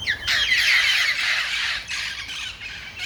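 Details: Wild parrots, part of a flock that gathers every morning in a tree to eat its seeds. Harsh, grating squawks overlap in a loud continuous burst that fades and returns in rough bursts.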